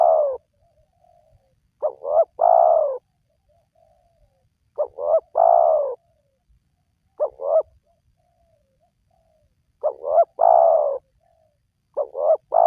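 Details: Lure recording of a spotted dove meant to get lazy wild doves calling: repeated three-note coos, two quick notes and a longer falling coo, phrases roughly every two and a half seconds, quiet background.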